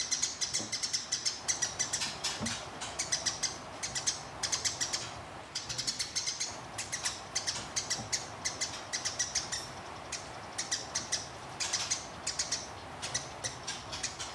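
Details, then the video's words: Fighting sparrow trained for contests, delivering a long rolling chirp series: dense high, clipped notes in fast runs that swell and pause briefly, repeating throughout, with a faint low background hum. "Gereja Tarung Ngeroll Abis"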